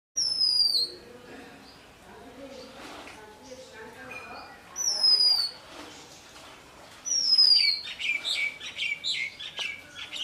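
Magpie-robin giving loud, clear descending whistles, three spaced a few seconds apart, over softer chirps from other birds and faint background chatter.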